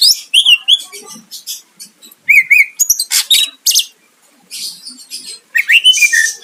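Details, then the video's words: Greater green leafbird singing to provoke a rival: repeated wavering whistles, rapid chevron-shaped trill notes, then harsh buzzy bursts and slurred whistles. "Cucak ijo gacor mancing lawan dijamin Nyahut"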